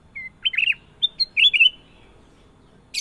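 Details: Sooty-headed bulbul in loud, clear song: a soft whistle, a bubbly cluster of warbled notes, two short chips and a rolling final phrase, followed by quiet and a brief hiss at the end.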